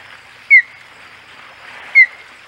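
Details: Osprey at Hog Island nest with three birds, 15 August 2020: two loud, brief, sharp downslurred whistles about one and a half seconds apart over a soft background hiss.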